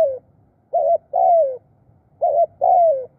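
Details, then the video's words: Decoy spotted dove calling birds in with khrun coos: two slow phrases, each a short buzzy note followed by a longer hollow coo sliding downward, close with near silence between. "ตามนกเรียกคู รู้ครุน"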